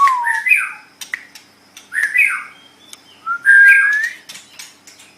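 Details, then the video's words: White-rumped shama, a pet songbird for tutoring, singing three separated phrases of loud, clear rising and falling whistles with short sharp notes between. "MASTERAN GACOR - Suara Burung Murai Batu"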